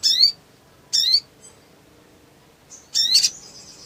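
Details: Excited black sunbird, a lure to prompt silent birds to sing: three widely spaced, quickly falling thin high whistles, the last followed by a faint buzzy trailing tone.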